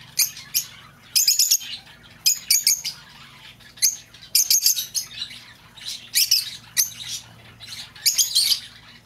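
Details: Lovebird voice meant for calling an escaped bird home: short bursts of piercing, rapid chirps come every second or so, with brief quiet gaps between groups.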